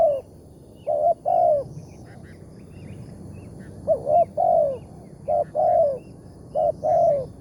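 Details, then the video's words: Wild spotted dove with a big voice during a morning trapping session. Rhythmic coo pairs follow a quiet opening, each a short note then a longer falling coo. "TEKUKUR SUARA BERSAR"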